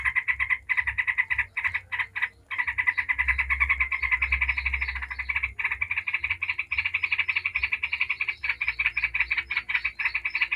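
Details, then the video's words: Yellow-vented bulbul singing nonstop in 'ngebren' style as a lure for other bulbuls: an almost unbroken stream of fast, harsh, buzzy pulses lasting several seconds, with one short pause near the start. "Trucuk ngebren bikin ribut trucuk manapun dijamin langsung nyaut ribut"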